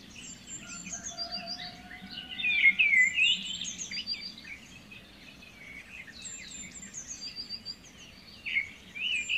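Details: A white-rumped shama song plays as a lure for a stressed bird that will not sing. It has quick warbled whistles and slurred notes in short bursts, with high chirps and a low hum beneath.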